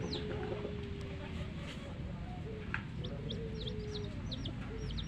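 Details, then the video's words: Dyed baby chicks of a hen peep in a late burst of quick, high, slurred chirps after a quieter start. A background hum and a faint steady tone are also present. "LOVELY Hen Baby Chicks, Witty MURGI Baby "Chicks Chirping" Sound"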